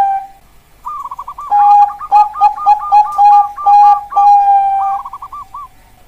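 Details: Zebra dove, Bangkok perkutut type, singing a wavering trill that leads into a string of short coos and long sustained notes, closing with another soft rippling trill.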